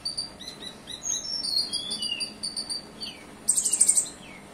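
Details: Olive-backed sunbird song with cililin phrases, a rapid run of high sharp tweets and sliding whistles, then a fast buzzy trill of about six evenly spaced notes at the very top of the range.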